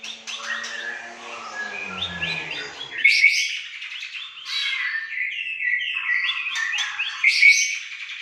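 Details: White-rumped shama from Aceh giving varied song: buzzy chattering phrases with rising whistles, a low tonal drone in the first seconds, then clean bright warbling.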